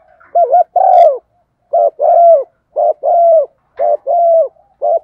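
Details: Female spotted dove coo, used as a lure during windy, rainy weather when males will not call; a steady run of paired low coos, a short note then a longer drawn one, about once a second.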